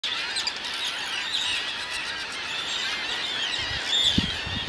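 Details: A busy colony of Arctic terns on Matinicus Rock, Maine: many high, harsh, overlapping calls blend into a constant chattering din, with a few brief low thumps near the end.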